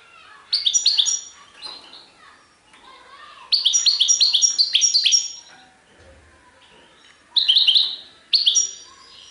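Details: European goldfinch singing sarfati tiwawati phrases: four separate clusters of high, jangling chirps and twitters, with soft background murmur in the gaps.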